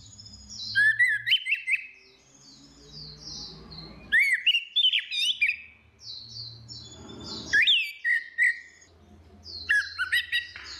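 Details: Female and male orange-headed thrush singing ngeplong as a lure for birds that stay silent; four loud bursts of mixed warbled whistles and chirps, with a low steady hum underneath.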